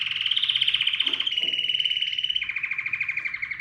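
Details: Excited canary song for stimulating and training other birds to sing, made of long, fast, pulsing rolls at a high, steady pitch. A short break comes midway, and the roll then continues slightly lower.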